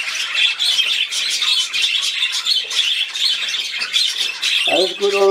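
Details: Budgerigars at play chattering continuously in high, scratchy chirps and rapid twitters, as a person starts speaking in the final half second.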